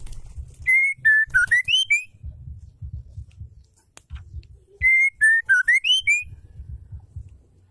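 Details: Female white-rumped shama song used to stimulate males to sing: a quick whistled phrase of about eight pure notes, falling then rising to a high finish. The phrase is repeated twice, with low background noise between.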